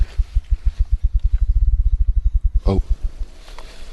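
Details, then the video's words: On a forest trail in Olympic National Park, within earshot of human hum from a visitor centre, a presumed Spruce grouse gives very low, deep thumping pulses that quicken over about two seconds, followed by a brief human voice. "did you hear that? Was it spruce grouse? Yeah, I"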